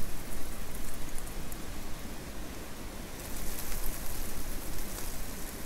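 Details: Dense, hissing noise like rain on a surface fills the estuary air, with low rumbling beneath and no distinct animal calls.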